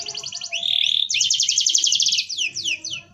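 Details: Dense rolling canary song used as a tutor recording: a short trill, a sustained flat whistle, then a fast even rattling roll and three descending swept notes.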